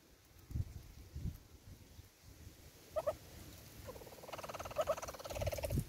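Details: At a South African bird feeder, a Southern red-billed hornbill gives a fast, even series of clucks that grows steadily louder toward the end. Scattered thuds and a couple of short notes come first.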